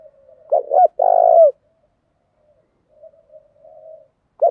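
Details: Spotted dove, a top-grade lure bird cooing in the urging style: two quick stuttered notes and a long, low, drawn coo falling at the end, then quiet soft murmuring before the next phrase begins.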